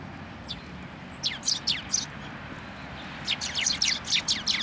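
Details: Sparrows arriving to be fed from a post at a Tenmangu shrine on 1 January 2024; after a quiet start come rapid, high, slurred chirps in two lively bursts from several birds.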